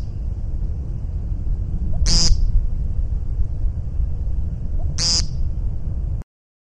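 Two nasal, buzzy peent calls from an American woodcock, about three seconds apart, over a steady low rumble.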